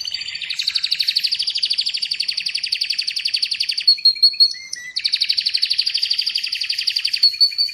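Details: Atlantic canary song made of long, fast, even rolling trills of rapidly repeated notes. A short pause with a few whistled notes falls midway, then the rolling trill resumes.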